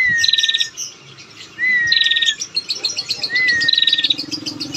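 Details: Lure call of a female bar-winged prinia for getting males to sing. Three phrases pair a clean upslurred whistle with a fast stuttering trill, and scattered chirps and twitters fill the gaps.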